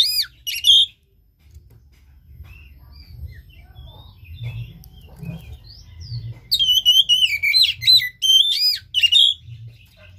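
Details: An Oriental magpie-robin sings loud, rich whistled phrases in two bouts: a short one at the start and a longer run of looping, dipping notes near the end. Faint chirps and a low hum fill the pause. The song is meant to rouse a silent caged bird.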